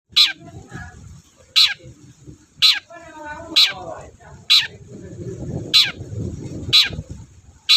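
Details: Long-tailed shrike singing loudly and persistently, recorded as a lure to rouse sluggish shrikes: a sharp, rasping note repeated about once a second, with softer warbled phrases and low murmuring sounds between the calls.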